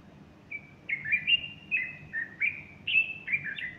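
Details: Bulbul singing on a Sunday morning, 30 August 2015, a female perched beside him fluffing her feathers; a quick run of bright, slurred whistled notes, rising and falling, about eight phrases in under four seconds.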